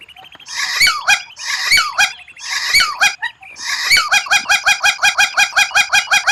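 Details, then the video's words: White-rumped shama song, a rare and unusual phrase used for training, with harsh, rich notes repeated about once a second, then speeding into a fast regular rattle of clipped notes. "Masteran murai batu tembakan langka, suara aneh tapi memukau lawan"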